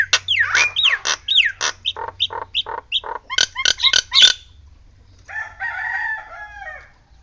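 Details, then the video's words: Nias Hill Myna delivering a rapid string of loud clipped whistles and knocking notes, some swooping, several per second, then softer chattering warbles after a brief pause. "JALAK NIAS NEMBAK SIRINE"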